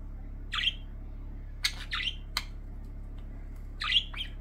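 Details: Budgerigar (Melopsittacus undulatus), chirping calls: excited greeting when the owner returns home.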